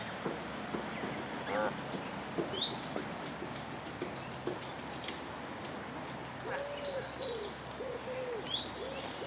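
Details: Canada geese with seven goslings on a pond in Midhurst, West Sussex, England, the father uneasy at people close by, giving soft, arched, nasal calls, several in a row near the end, with thin high peeping notes throughout and steady background noise.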